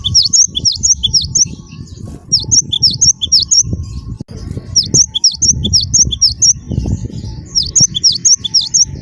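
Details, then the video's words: Vigorously singing wingko cinereous tit (gelatik batu), used to lure other birds into song: repeated volleys of bright see-saw whistles, each run a second or so long, with low rumbling noise underneath. "gelatik batu wingko gacor"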